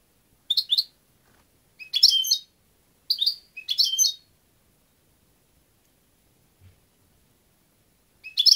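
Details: European goldfinch uttering short, high chirping twitters in separated bursts, roughly one every second or two, with quiet gaps between.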